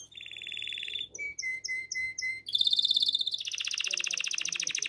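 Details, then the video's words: Canary in breeding condition singing to the female, Shkodër, Albania: a short trill, a series of five clipped lower notes, then a loud, rapid, buzzy high trill that drops slightly in pitch. "CANARY | CANZONE DEI CANARINI"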